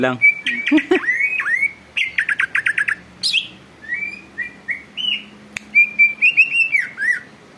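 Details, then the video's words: Vigorous song of a caged greater green leafbird provoking others to sing: a fast stuttering rattle of sharp notes, then varied whistled slurs and rising phrases, with faint voices in the background. "cucak ijo gacor bikin burung lain ikut BUNYI dan EMOSI"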